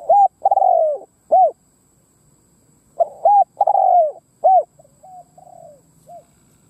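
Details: Spotted dove used as a decoy for wild doves, cooing. It gives two strong phrases of short hoarse coos and a long sliding coo, followed by soft trailing notes.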